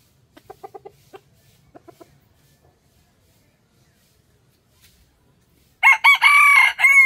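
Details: Scattered soft clucks lead into a rooster's crow near the end: several loud, choppy, harsh syllables strung together in a cock-a-doodle-doo pattern.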